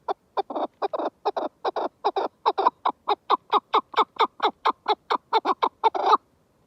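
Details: Chukar partridge giving a fast run of harsh, clucking chuk notes, each sliding downward, about two per second, in a steady rhythm lasting over six seconds with no other sounds.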